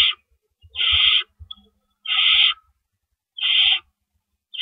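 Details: Owls at a nest in the night of April 4, 2012, as rabbit prey is brought in. Slow, well-spaced raspy hissing screeches, about one every second and a half, with a few soft knocks between.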